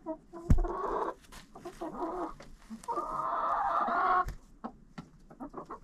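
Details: A coop full of chickens filmed with a GoPro: long raspy drawn-out squawks, one stretching over a second, alternate with short clucks, while sharp thuds from birds moving against the camera punctuate the sound.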